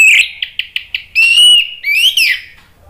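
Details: Orange-headed thrush, used as a lure to coax a kept bird into singing: a few short clipped notes, then long, loud, rich whistles sliding upward.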